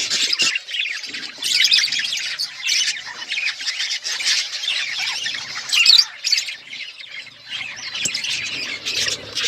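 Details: A group of pet budgerigars keeps up continuous chirping, a scratchy, warbling jumble of short tweets and squawks with a few brief sharp clicks.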